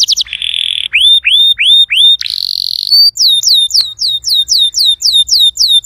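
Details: Canary song, played to get a silent canary singing: a steady high trill, then a series of clear whistled notes that swoop downward, a brief buzzy roll, and a fast run of repeated high descending whistles.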